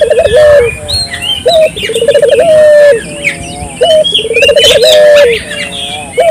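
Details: Lively calling of a local dove, meant to spark other doves to answer: short rising note, then a rippling trill and drawn-out coo, repeated about every two seconds, with busy high twittering of other birds.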